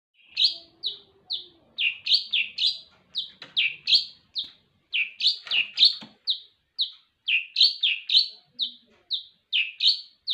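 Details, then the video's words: Long-tailed shrike raised from a chick and kept caged, singing a busy stream of short chirping notes in clusters, some sharp and rising, others quick doubled chips, repeated many times over ten seconds in a quiet room. "burung cendet Gacor"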